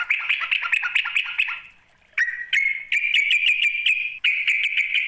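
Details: A sooty-headed bulbul gives a call aimed at a rival. A fast, rolling chatter fades out, then after a brief pause a steady stream of bubbly, clipped notes begins.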